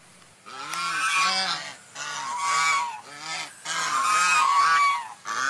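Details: Swan calling with loud, nasal honks in three bursts, each holding several rapid arched notes, separated by short quiet gaps.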